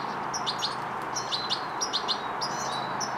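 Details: A European goldfinch fledgling, learning motor control and coordination, gives thin, high twittering chirps in short bursts every half second or so, over a steady background hiss.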